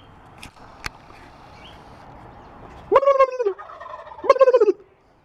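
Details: Turkeys gathered all around and fighting; after a few sharp clicks and a quiet hiss of background, two loud rattling gobbles break out over a second apart, each a quick throaty pulsed burst.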